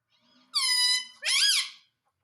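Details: Pet parrot indoors producing two loud harmonic calls in quick succession, the first a steady drawn-out tone, the second a wavering, bending note.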